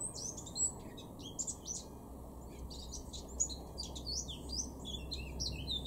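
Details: Male Eurasian blackcap singing in a garden in Weener, East Frisia, far northwest Germany, April 2021: a fast, varied warble of high chirps and twittering notes, continuous over the whole stretch, with a low steady hum beneath.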